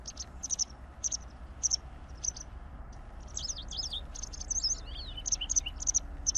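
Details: White wagtail (Motacilla alba) song: a run of high, thin chirps that turns into quick twittering, with rising and falling notes near the end. Low background rumble throughout.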